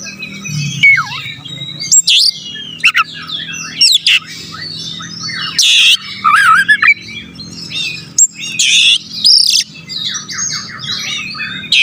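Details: Kacer song used to provoke rival birds: loud, varied bursts of harsh buzzy notes, sweeping whistles and rapid chattering phrases separated by short pauses, over a faint low hum.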